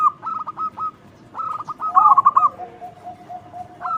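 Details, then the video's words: Local zebra dove singing with a loud voice to lure other doves: groups of short clipped coos and a trilled rolling phrase, with a faint lower drawn-out tone afterwards. "Perkutut lokal gacor suara lantang super ampuh untuk pancingan"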